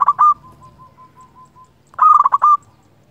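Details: Singing local zebra dove, used as a lure to provoke rivals: two sharp coos and a string of soft repeated low notes, then a loud fast cluster of clipped, bubbling coos.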